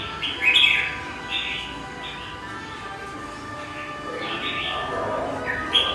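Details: Caged red-whiskered bulbul, wild-caught and kept three months, large-bodied and quick to sing: short bright warbled phrases in bursts about a second apart, some with sharp high notes, over a steady hum of background noise.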